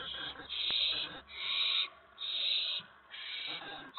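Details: At an owl nest on the evening of April 19, 2017, with both adults bringing food to the owlets: loud rasping hisses, each under a second, come in a steady series about once a second with short gaps between.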